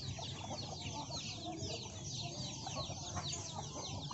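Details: A large flock of hens and chicks eats young rice from farmers; thin, high, falling chick cheeps crowd together without pause over soft, low hen clucks.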